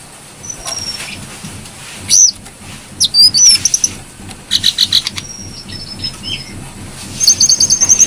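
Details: Clear, lively song of a brown-throated sunbird, recorded as a lure for training caged birds: high sharp chips and short whistles, bursts of quickly repeated notes, and a fast high trill at the end over a soft background hum.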